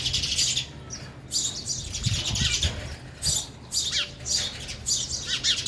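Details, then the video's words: Sparrows at a feeder while eating, with a young one present; clustered high chirps and short downward squeaks come in bursts separated by brief pauses, with low rustling and thuds in the middle. "sparrow sound effect | ચકલી ઘર | chaklino avaj | sparrow eating"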